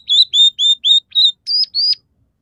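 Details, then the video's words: Scaly-breasted munia song with canary, red siskin and sparrow fill-ins: five loud clear whistled notes at an even pace, then two slightly higher, longer whistles, followed by silence. "suara burung emprit peking gacor dengan tiga variasi lagu"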